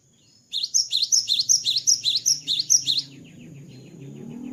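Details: Cinereous tit singing freely after its moult: a fast run of about a dozen bright, sharp two-part notes, each dipping and rising, in one steady burst lasting about two and a half seconds, with a faint low rumble underneath.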